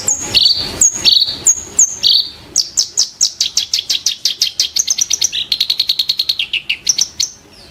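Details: Sharp, harsh song of the kerak basi, or reed warbler: several downslurred whistled notes, then an accelerating rattle of rapid clicking notes and a few high whistles.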